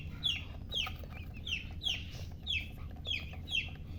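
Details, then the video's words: Baby chickens chirping: high, descending peeps repeated about every half second, steady and clear over a low background hum. "silly chicken chirping sounds"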